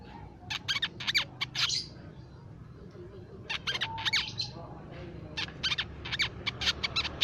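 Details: Crimson sunbird, a nectar-feeding species of shrubland and plantations, heard as a songbird lure: short clusters of high, sharp twitters separated by brief gaps, with soft background noise.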